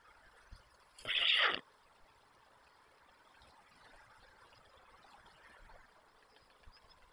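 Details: White stork at a nest in Przygodzice, Poland, on 24 July 2021, young still with parents: one harsh, hissing burst lasting about half a second, followed by a low, steady outdoor background hum.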